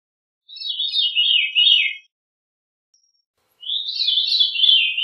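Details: Veery song, two ethereal phrases that each swirl and spiral down in pitch, separated by a pause of about one and a half seconds.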